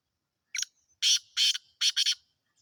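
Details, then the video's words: Kala teetar, a Sindhi black francolin with a sweet voice, delivers five harsh, scratchy notes in quick succession, the final two run close together, with nothing else heard. "Kala teetar sindhi || black francolin //sweet voice"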